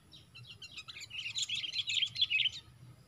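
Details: Sooty-headed bulbuls in a four-against-one fight while being lured for trapping; an agitated jumble of rapid overlapping chirps building to a dense burst, then fading.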